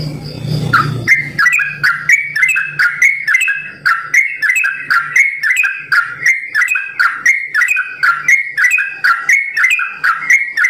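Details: Captive sooty-headed bulbul singing a long rapid-fire ropel song of the simbar jati style: a dense run of short bright whistled notes, about one per second, jumping between mid and high pitches after a brief low rumble, with a steady low hum.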